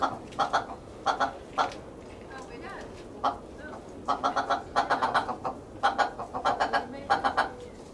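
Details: Willow ptarmigan kept in a private aviary in Holland, August 2023: short staccato clucks grouped into quick rattling series of three to six notes, repeated with brief gaps over several seconds.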